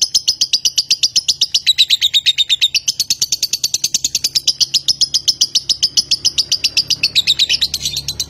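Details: Konslet lovebird from Nganjuk, Indonesia, singing a long unbroken stream of rapid, shrill high chirps, about four per second, with slight rises and dips in pitch throughout.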